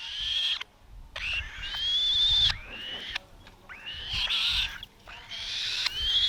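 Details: Captive black-shouldered kite chick, 35 days old, at feeding time: hoarse rising screeches repeated roughly every two seconds, with steady low rumbling and rustling handling noise underneath.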